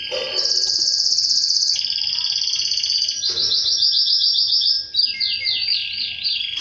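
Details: Canary singing, tied to mating with its female: long buzzy high trill, then a lower rolling trill from about two seconds, then fast looping repeated notes and quick descending sweeps toward the end.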